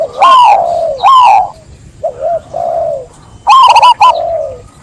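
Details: Zebra dove song: two short bright coo phrases, then soft low drawn-out coos, ending in a longer stuttering phrase that trails off into a falling hum.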